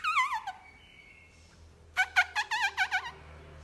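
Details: Black-throated laughingthrush, a wild-caught cage bird, singing forest-style in the morning: a quick wavering whistle, then a pause, then a run of about eight fast bouncy whistled notes, with a low steady hum underneath.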